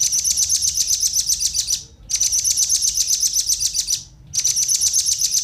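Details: Male and female velvet-fronted nuthatch calls used to lure wild birds: continuous rapid high-pitched trilling, broken by two brief silences, very fast and shrill throughout.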